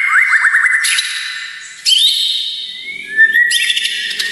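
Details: Varied White-rumped shama song for masteran and emotion provoking: quick upward-flicked notes, then bursts of high rattling trills broken by a short low whistle, clean recording.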